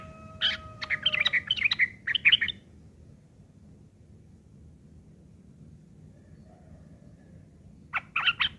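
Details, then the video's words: Harsh ngeriwik chattering from a yellow-vented bulbul, used to teach long-tailed shrikes: a jumbled string of scratchy chirps for over two seconds, a long quiet gap, then another rough burst. "trucuk ngeriwik kasar isian burung CENDET"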